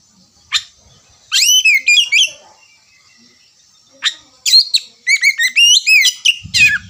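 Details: Oriental magpie-robin song used as a lure to prompt 'ngerewek' singing: two bursts of rich, varied whistles with steep upward and downward sweeps, split by a quiet pause. A short low thump comes near the end.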